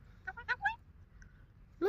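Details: Pet male Alexandrine parakeet talking, said to say phrases like "I love you Papa" and "Good morning": a quick run of four high, harmonic, word-like syllables, a quiet pause, then a loud rising squawk at the end.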